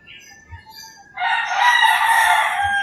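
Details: Rural Philippine morning: quiet bird calls, then a rooster bursts into a loud, strained, sustained crow that runs to the end, with faint low thuds.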